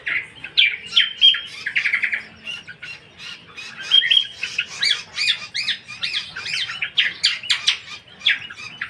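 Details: Lesser green leafbird singing a fast, varied chattering song of whistled, slurred and squeaky notes, with rapid trills and short phrases tumbling one into the next, recorded indoors.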